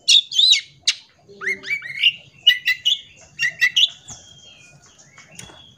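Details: Long-tailed shrike song meant for tutoring young shrikes: harsh chattering opening, then rising slurred whistles and scratchy notes, tapering into a drawn-out thin tone with soft background noise.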